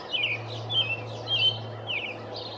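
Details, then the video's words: From a pine treetop on 5/6/19, a territorial male American robin delivers clear, rich whistled phrases in quick succession, each rising and falling, about four phrases in under three seconds, with a low steady hum beneath. "American Robin singing"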